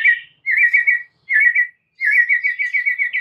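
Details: White-rumped shama repeating short, even, warbling trills at mid pitch, given in three separated bursts, the last longest and steadiest.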